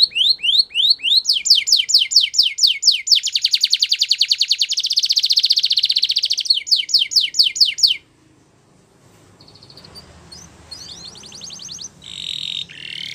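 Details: Belgian canary song used for training young canaries: fast series of high downward-sweeping notes, then a dense buzzy rolling trill, more sweeping notes, and after a quiet gap, softer fragments of high notes.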